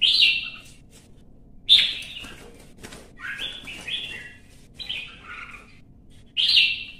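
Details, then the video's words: Red-whiskered bulbul engaged in competitive singing in Vietnam: loud, sharp warbled phrases separated by pauses, softer lower notes between, repeating roughly every second or two. "CHÀO MÀO | Kè kích chim hót đấu kích ché căng lửa"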